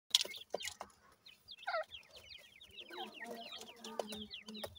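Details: Grey francolin chicks (gora teetar male crossed with dakhni teetar female) in captivity: many overlapping high, thin, downslurred peeps in rapid runs, with scattered knocks and clicks in the background.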